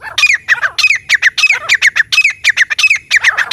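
A grey francolin gives loud, harsh, squealing notes in quick rhythmic bursts, about three or four per second, with a slight echo and no other sounds.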